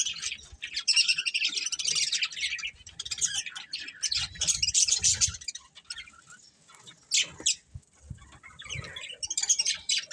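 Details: Breeding pair of colourful budgerigars chirping: dense bursts of scratchy, buzzy chatter and twittering, with sharp high chirps in between and brief quieter gaps, plus faint low rumbling underneath.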